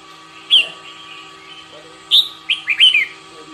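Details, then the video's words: Morning singing practice of a red-whiskered bulbul: loud clear phrases of bright, slurred, downward-sweeping notes, one early then a rapid cluster of four near the end, over a faint steady hum. "Chào mào hót - Luyện chào mào hót buổi sáng"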